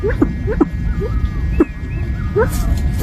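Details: Southeast Asian pheasant repeating paired notes, a quick upslurred yelp dropping into a lower hollow note, every half second or so, over low rumbling background noise.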